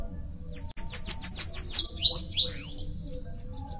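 A Bananaquit sings a very high, thin song: a fast run of about eight wheezy buzzy notes, then a rising, sizzling trill.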